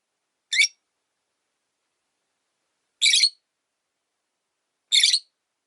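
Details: Rosy-faced lovebird, a lone caged bird whose partner died, calling from its perch by a window: three harsh, bright chirps spaced about two seconds apart, with silence between.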